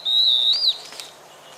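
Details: A pair of stripe-backed antbirds; one gives a single high, thin whistle, held steady over half a second before lifting briefly at the end, with faint echo afterward.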